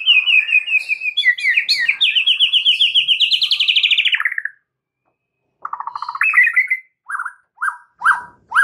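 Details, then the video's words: White-rumped shama singing, meant to coax a mute bird into song: a long, fast series of high, rippling notes lasting about four seconds, a pause, then loud separate chirps and slurred whistles. "jadikan Murai BISU seketika NYAUT dalam HITUNGAN DETIK"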